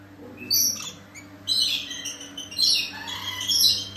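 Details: Scaly-breasted lorikeet (Trichoglossus chlorolepidotus) gives shrill, screechy chatter in bursts about once a second, high-pitched and harsh, over a low steady hum.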